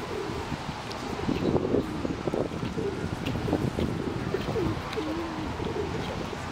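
Ducks murmur in soft, low, overlapping notes, some short and clipped, others drawn out and wavering, over a steady rumble of wind or outdoor noise.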